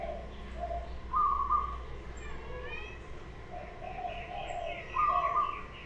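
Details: Local wild zebra dove giving two soft, level cooing phrases about four seconds apart, mixed with faint lower chatter, higher warbling and chirping notes from other birds, and a low background rumble.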